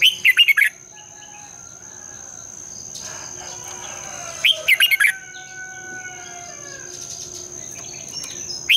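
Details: Red-whiskered bulbul singing a morning fighting song, long twisting double voice: bright, bubbly phrases of quick whistled notes separated by pauses, soft chirps of other birds and a steady thin electronic-sounding whine behind.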